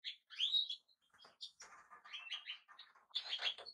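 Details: A European goldfinch twitters in quick tinkling notes with a sweeping upslurred note near the start, followed by a busier jumble of chirps.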